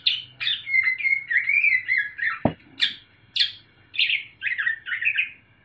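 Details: Sumatran leafbird, young and caged, loud clear song with parrot and bulbul mimicry: sharp chips, a rising whistled warble, a single knock, then buzzy chattering notes.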